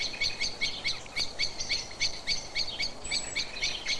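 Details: Common blackbird alarm call, commonly used when going to roost: sharp, metallic chinking notes, about four per second in a steady insistent run, over a faint low rumble.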